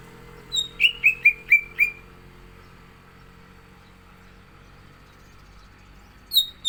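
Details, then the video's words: Greater green leafbird (cucak ijo) in full 'gacor isian' singing form: a quick run of five clear whistled notes, each sliding downward, followed by a long quiet pause, then a fresh high note starting at the end. "CUCAK IJO GACOR ISIAN"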